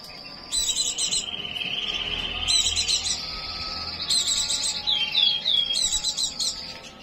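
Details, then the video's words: Prolonged high trilled song of a white-eye in breeding condition, repeatedly interrupted by loud bursts of shrill chatter every second or so, with looping slurred notes toward the end. "pleci birahi"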